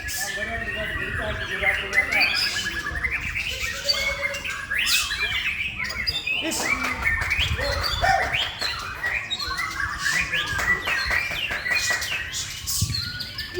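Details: A male White-rumped shama at a songbird contest pours out a dense, varied song of rich whistles, trills and quick chattering notes without pause, with a man's voice talking in the background.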